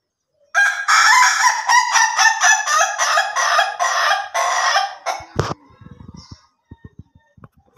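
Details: Ayam Ketawa chicken in a long, rapid crow: a dense string of about twenty harsh, laughing syllables over nearly five seconds, ending abruptly, followed by clicks and light knocks.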